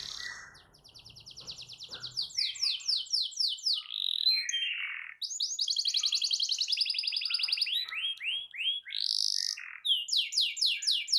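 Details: Lively canary song meant to prompt a silent canary to join in: rapid rolling trills alternate with slurred downward notes and clipped chips, phrases changing every second or two, with faint low hum at the start.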